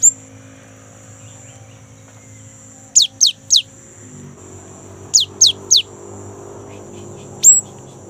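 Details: Rolling song of a young great tit, played to prompt caged great tits to sing: two spaced sets of three high, steeply falling whistles, with a single sharp note near the end.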